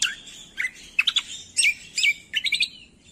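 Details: Cucak kombo song used as a training and trigger recording to prompt reluctant birds to sing: bright, high chirps and short warbled phrases in separate bursts with brief pauses, some sharp downslurred notes, over a quiet background.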